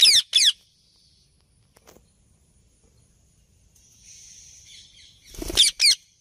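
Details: Alexandrine parakeet calling in its natural voice: two harsh, rasping screeches with stacked overtones at the start, a quiet stretch with a faint hiss, then a louder burst and two more grating screeches at the end.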